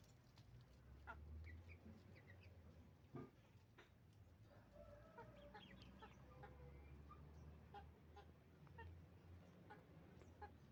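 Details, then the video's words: Chicken farm with roosters and hens calling: overlapping soft clucks and brief cackling notes from a flock, set against a loud low machinery drone. "Moment of the sound of a chicken farm, roosters and hens making noise"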